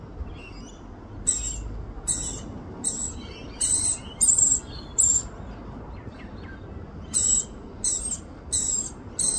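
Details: Rainbow lorikeet in Australia feeding her young. Loud rasping screeches come in short bursts, some with a shrill whistled overtone. They start after a quiet first second, pause in the middle, then resume in a rapid series.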